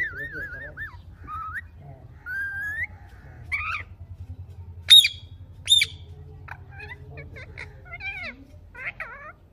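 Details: Pet ringneck parrot producing scattered whistled and warbling notes, some rising and wavering, broken by two sharp, shrill squeaks midway, with a low steady hum underneath.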